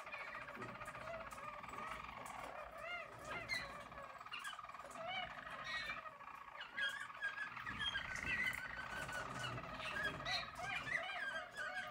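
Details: A 2022 team of yellow Harz German Roller canaries keeps up a long, mellow rolling trill, steady in pitch, with scattered short rising notes growing louder toward the end.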